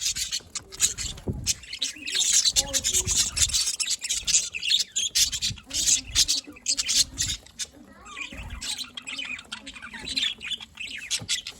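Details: Budgerigars chirping, recorded 27 October 2023: steady loud twittering chatter of rapid high chirps and chattering notes, with a low background hum and occasional knocks.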